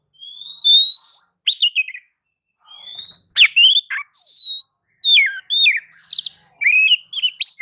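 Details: Song of a white-rumped shama meant to set other birds singing, mixing rising whistles, sharp downward-sweeping notes and quick chattering phrases.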